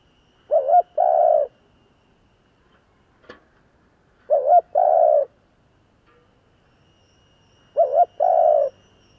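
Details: Kept decoy Spotted Dove calling in the "giọng thổ" style to attract wild doves. Three evenly paced low coo phrases arrive roughly every 3.5 seconds, each a short doubled note followed by a longer steady hoot. A faint click sounds between the first two phrases.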